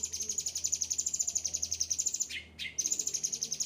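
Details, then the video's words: A well-kept ocean green cucak ranting with a yellow head singing: a very high, fast pulsing trill, briefly broken by a down-slurred chirp and a short silence before the trill resumes. "gacor cucak ranting"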